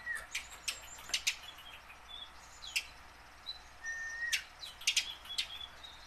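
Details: Tame house sparrow, used to coax captured wild sparrows into singing, utters scattered sharp chirps and a short level whistle, loose and irregular throughout.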